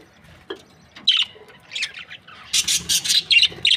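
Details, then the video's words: Happy breeding pair of Australian budgerigars chirping: a few isolated high chirps, then a quick series of loud squawky notes in the last second and a half. "Happy budgie chirping sounds | Australian budgies breeding pair"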